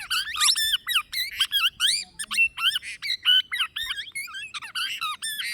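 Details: Plum-headed parakeet giving a rapid run of shrill, squawky, warbling notes that bend up and down, tightly packed and continuous through the whole stretch.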